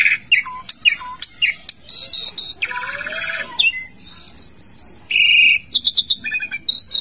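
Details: In a bathing cage, an Asian pied starling pours out a mixed song of rising and falling whistles, harsh buzzy blocks and rapid chattering notes, varied phrase after phrase with hardly any pause.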